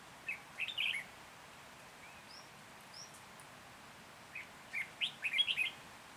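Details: Red-whiskered bulbul used as a decoy, singing to lure wild birds for trapping in Hòa Bình, Vietnam, on 14 January 2021; two short bursts of bright, warbled chirping notes, separated by several seconds of quiet and a few thin whistles.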